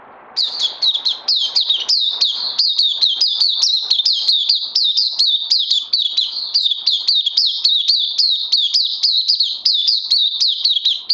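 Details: Oriental white-eye, a kept songbird recorded 31 May 2020, delivering a long unbroken stream of fast, high, evenly repeated chirps, each a sharp downward slur, about three per second, for over ten seconds.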